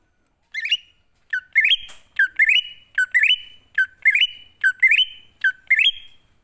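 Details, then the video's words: Wild-style greater green leafbird lure for wild birds: eight or so repeated phrases, each a short dip followed by a stepped, rising warble into a held whistle, given about every 0.8 seconds. "Pancingan Burung Cucak Ijo Ngalas Di Jamin Langsung Nyaut"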